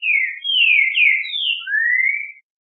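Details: Green-winged saltator song meant to excite other saltators: a rich whistled phrase of four quick descending slurs closing with one long, steadily rising note, clear and loud against silence.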